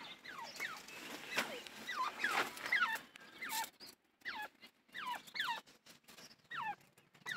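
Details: Grey francolin (desi teetar) calling: a series of loud whistled notes that slide steeply downward, several in quick succession, repeating in bursts about every second, with background hiss.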